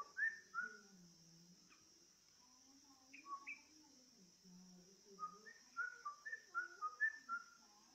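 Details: Sooty-headed bulbul song from a recording used as a lure to make other bulbuls sing: short clear whistled notes in rising and falling phrases, sparse at first, then a quick run near the end, over a steady high hiss and a low murmur.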